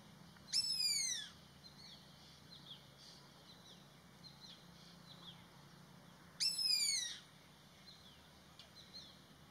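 Indian pitta giving two harsh, downslurred alarm notes about six seconds apart. Faint chirps from other birds sound in the background.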